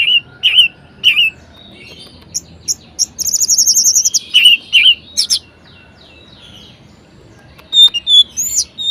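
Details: Orange-headed thrush kept as a songbird, singing varied phrases to get lazy birds singing: slurred whistled chirps, a rapid rattling trill, more slurred notes, a quiet gap, then high rising sweeps.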